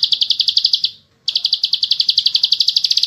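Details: Bar-winged prinia in fast, tight 'ngebren' singing: a high, rapid pulsed trill breaks off briefly, then resumes at the same quick, even pace, about four notes per second, with no other clear sounds.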